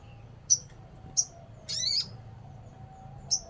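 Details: Sogon (crimson sunbird) from Indonesian bird-keeping circles: scattered sharp, high tsip notes with one longer grating buzz in the middle, over a soft low hum.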